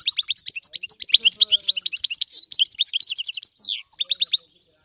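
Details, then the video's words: Rare old-style song of a Sicilian European goldfinch: continuous fast, bright twittering with tinkling liquid notes, two short buzzy rasps and a downward slurred note near the end, very clear and close. "Canto del Cardellino | Richiamo | miglior canzone | stimolare cardellino"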